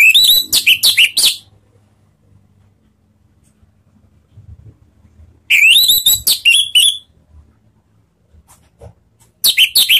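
An orange-headed thrush sings three bursts of rapid, high, varied chattering and whistled notes, each one to one and a half seconds, with quiet pauses between.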